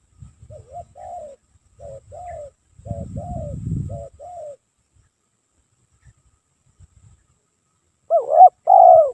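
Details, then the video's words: Spotted dove cooing nonstop as a lure for catching doves: soft, mellow two-part coos in short groups separated by pauses, with rustling thumps between phrases and a louder, closer coo phrase at the end. "PANCINGAN TEKUKUR PALING AMPUH"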